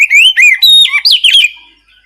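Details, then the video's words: Ngeplong-style Oriental magpie-robin song, played to coax quiet birds into singing back: a rapid, unbroken run of rising and falling clear whistles mixed with harsh notes, ending in a fading trill. "Suara pancingan kacer ngeplong untuk memancing kacer diam malas bunyi lekas nyaut langsung gacor"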